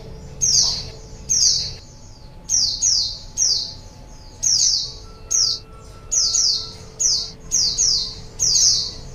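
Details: ['Luring wild birds, a white-eye gives a lively run of piercing high chirps that slur downward, frequently doubled or tripled, with short pauses between groups and a soft background tone.']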